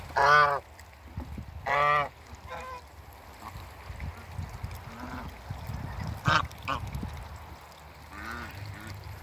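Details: African goose couple on a waterbird farm: two loud nasal honks open the passage, followed by softer, scattered calls over a low background rumble.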